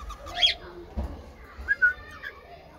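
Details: Cockatiel chicks kept and raised at home chirping: a sharp swept chirp, a dull thump, then two short piping notes and a faint later chirp over low background noise.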